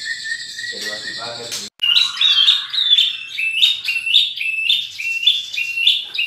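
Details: White-rumped shama (murai batu), a champion bird with rich mimicked material, opening with a steady whistle and a harmonic chattering note, then a brief break and a string of quick rising chirped phrases repeated about twice a second.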